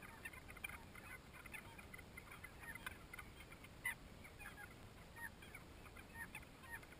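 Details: Nesting colony of banded stilts, over 20,000 pairs, duelling at Lake Torrens, South Australia, 2011, after cyclone flooding; many overlapping clipped, nasal notes in a constant chattering chorus over hiss.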